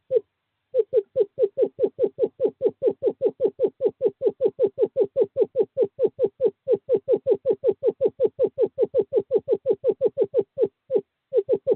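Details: A male screech owl calls a female to a nest box on 2/11/2023 during courting season. After one opening note and a short pause, a long unbroken trill of rapid hollow notes continues for about ten seconds.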